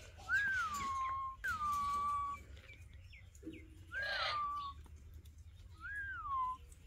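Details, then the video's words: Several pet Alexandrine parakeets sit together, sounding four loud drawn-out whistles, each rising sharply then sliding down to a steady held tone, spaced about a second or two apart in a quiet room. "Alexandrine Parrot Talking"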